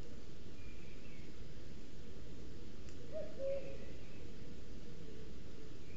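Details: Common cuckoo male in Spain's Sierra de Guadarrama National Park, forest nest webcam near a booted eagle nest, singing throughout the day to defend territory; a single falling two-note cu-coo midway, faint higher bird calls behind.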